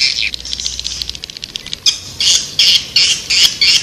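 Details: Swiftlet calling to lure birds, starting with a soft rapid buzzy chatter and then turning into louder, separate shrill chirps repeated in quick succession.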